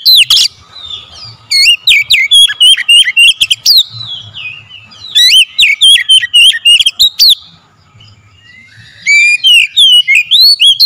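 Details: Kacer (oriental magpie-robin) song played to make birds sing loudly and get worked up: rapid, varied whistles, chips and sliding notes in three dense bursts, the last after a silent pause of about a second.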